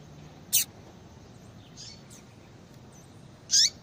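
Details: Female Yellow-bellied Seedeater calling to bring a male into breeding condition; two short, sharp, high chip notes about three seconds apart, with faint softer notes between them over a quiet hiss.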